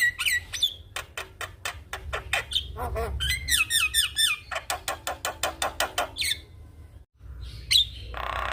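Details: Javan myna singing energetically while nodding, a master song for young mynas: harsh ratchety pulses in quick series, wavering whistled phrases, then a short gap and a final whistle over a soft hiss.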